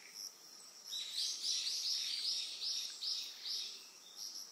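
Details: Eastern yellow wagtail recorded on Amami Oshima, Japan, giving a quick string of about nine bright, slightly buzzy chirps in under four seconds, against a continuous thin hum of insects.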